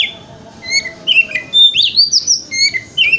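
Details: Lure song of a kacer (Oriental magpie-robin) in 'wikplong' style, used as morning therapy to make the bird open its tail; bright whistled notes and upward-sweeping slurs in quick succession, clear and close.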